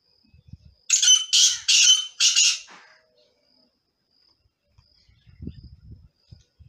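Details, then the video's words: Male black francolin singing: four loud, harsh, rasping bursts follow one another quickly, then fade, leaving silence with faint low rumbling near the end. "Black Partridge male singing"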